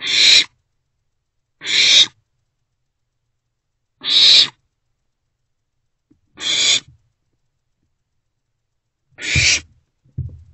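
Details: Owlets, three in a nest box, recorded on 13 April 2024 between night and noon: five short, harsh, hissing screeches at irregular two-to-three-second intervals, with a dull knock at the end.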